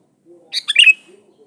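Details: A single rapid, gurgling phrase from a Sooty-headed bulbul, three quick notes rising into a bright downslurred finish, part of a lure song for calling rivals.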